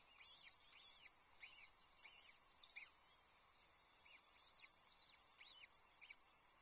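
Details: Adult ospreys at their Loch Arkaig nest with a chick under six hours old, 22 May 2024, on a nest livestream camera: a series of high, clipped, arched chirps in short bursts roughly every second, over a steady background hiss.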